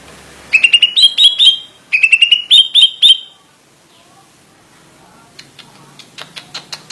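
A greater green leafbird gives two loud bursts of rapid, ringing whistled notes, five or six per phrase, then fainter clicking chatter follows.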